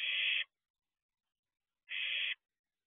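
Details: Young barn owl peering out of its nest box at 4:31 am: a pair of loud, breathy screeching hisses, each about half a second long and separated by a quiet gap of roughly a second and a half.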